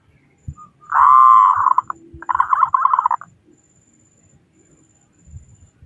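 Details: Local zebra dove in full voice, singing to prompt other doves: one long buzzy rolling coo, then a second choppier, stuttering phrase, with faint clicks in the background.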